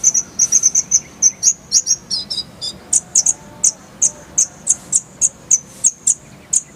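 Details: High-pitched twittering song of a konin, or Oriental white-eye, recorded as masteran: quick clusters of sharp chips, then evenly spaced bright, very high notes repeated about three times per second.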